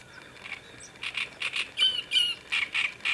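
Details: Great reed warbler on the Sviyaga river bank, 25 May 2017; rapid series of harsh, grating croaks and squeaky notes, about eight loud units in quick succession.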